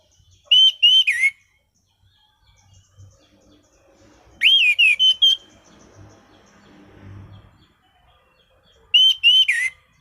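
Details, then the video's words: Singing Orange-headed thrush delivers loud whistled phrases with sharp, slurred notes roughly every four seconds. Faint low rumbling and background noise fill the gaps. "Burung Anis Cendana Gacor mapan.!!!"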